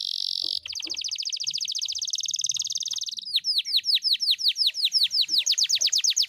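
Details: Canary in full song: a steady high buzz, then a long even trill, switching to a series of sharp descending and rising whistled sweeps repeated several times a second.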